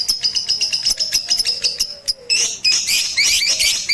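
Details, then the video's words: Rooftop training session for a caged lovebird, dated 18 April 2021, using a master recording. A quick, evenly pulsed run of sharp high notes gives way to a louder, denser and harsher burst of chatter. "Melatih Kicau Lovebird Batman Menggunakan Masteran di Atas Atap"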